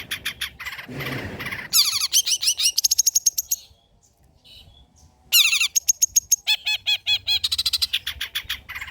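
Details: Long-tailed shrike in rich old-style song, used as prompting and tutor material. Varied fast chatter and a harsh burst, a pause of near silence with faint notes, then renewed sharp trills and repeated looping syllables.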